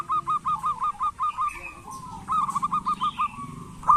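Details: Zebra dove of local stock, calling keenly as a lure to spur lazy doves: a long run of evenly repeated, punchy gurgling notes, a short lull with faint background chirps, then another rhythmic series.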